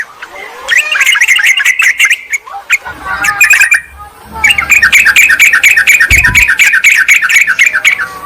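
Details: Noisy bulbul lure sound for luring wild yellow-vented bulbuls and calling a rival: a long run of harsh, rapid chatter, a brief pause with a low thump, then a second, louder stretch of fast repeated notes.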